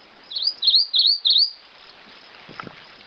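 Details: Grey-eyed Greenlet singing a short phrase of four clear, high whistled notes, each dipping then rising, given quickly in sequence, followed by quiet background with faint ambient sounds.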